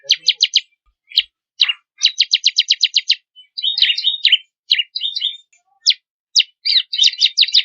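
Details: Bar-winged prinia song variation for training songbirds: quick trills of clipped high notes alternate with separate sharp chirps and twittering bursts, in an irregular, lively sequence.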